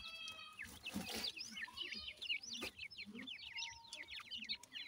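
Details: Indian grey francolin chicks feeding; a flock keeps up high clear up-and-down peeps in quick succession, with a rustling burst and a couple of sharp clicks near the start.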